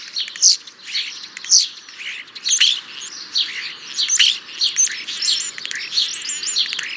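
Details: European starling singing a varied run of squeaky chirps and rattles, ending with a series of high, thin, hooked whistles repeated several times.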